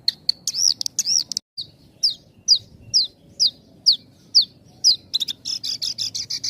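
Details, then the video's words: Tight-paused Javan bush lark song for training untrained and half-trained birds: arched whistled notes, then a series of downslurred notes about every half second, ending in a dense buzzy trill. "Suara Kicauan Burung Branjangan, Jeda Rapet, Pas untuk Pancingan Branjangan Bahan dan Setengah Jadi."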